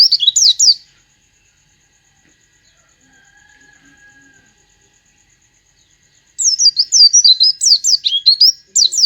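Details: Oriental white-eye mimicking a sooty-headed bulbul: a short burst of high, twisting whistled notes, a long quiet gap with a faint steady tone, then another fast run of sharp sweeping notes.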